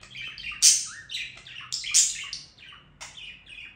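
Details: Short stretch of budgerigar song, scratchy chirps and a falling whistled slur, broken by two strong harsh squeaks and a final fading chatter.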